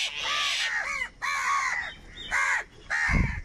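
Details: Crows calling over food: loud harsh caws with arched, rasping notes, four bursts in quick succession with short gaps between them.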